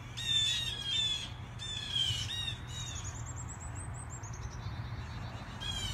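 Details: Blue jays gathered noisily in a tree give harsh squawking calls in two bursts, followed by a high, thin, wavering whistled series from another bird, with a low background hum throughout.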